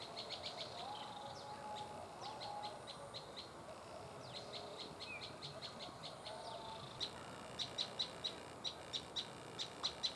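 A prinia gives sharp, high ticking notes, first in quick bursts, then singly about twice a second, over a soft lower whistle and faint background hum.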